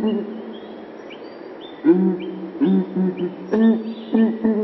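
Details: Southern ground hornbill booming: deep, steady hooting tones held and repeated over a constant background hum, with thin whistled notes from other birds above.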